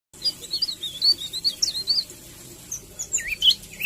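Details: Eurasian tree sparrow used as a tutor recording for training a white-rumped shama: a string of short, bright, twisting chirps and tweets in quick varied bursts, pausing briefly midway before more squeaky notes resume.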